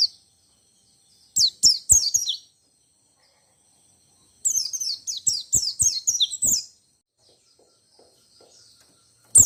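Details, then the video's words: White-eye in 'ngalas ngerol nembak' song style, meant to make listening white-eyes answer: two quick strings of sharp, high, falling twitters separated by a pause, a soft tapping underneath. "Suara Pleci Ngalas Ngerol Nembak Semua Pleci Yang Dengar Jamin ikut Nembak Ngotot."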